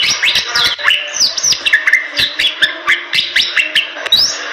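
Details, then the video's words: Song of a Bali myna, endemic to western Bali, Indonesia: a busy stream of bright whistled slurs and chirps, many rising sharply, with rhythmic clicking throughout and a high upward sweep near the end. "Jalak Bali Gacor"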